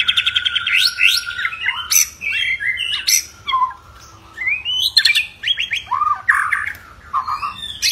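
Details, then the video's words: Fired-up white-rumped shama delivering a combative song intended to rouse other shamas: varied phrases of long whistles, sharp rising slurs and rapid rattles, separated by short pauses. "Murai Batu Ngamuk Rekomended untuk Pancing MB lain ikut Gacor + Fighter"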